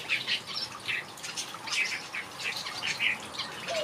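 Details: Several finches kept in a backyard aviary twitter constantly, giving quick high chirps and short trills that overlap in a dense, lively chorus.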